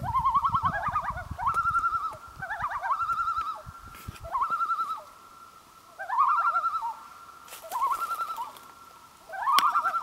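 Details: Repeated quavering loon phrases on Gavia Lake in 2011, about six bursts of rapid, wobbling notes rising and levelling, some overlapping as if more than one bird, with low noise early on then a quieter background.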